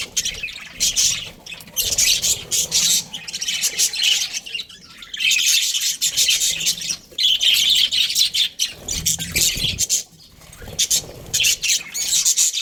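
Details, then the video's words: Australian budgerigar breeding pair in long runs of busy, high warbling chatter, broken by a few short lulls. "Australian budgies breeding pair | Budgies chirping sounds"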